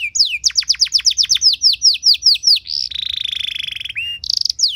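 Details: Caged canary song for training other birds: a rapid sequence of falling whistled sweeps, then a long even buzzy roll and a short high trill, ending with a sharp descending note.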